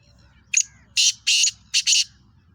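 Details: Black francolin, a speeder type known locally as kala teetar or chakri wala teetar, giving a harsh, buzzy call in four loud bursts: one short note, then three longer grating ones, over a low background hum.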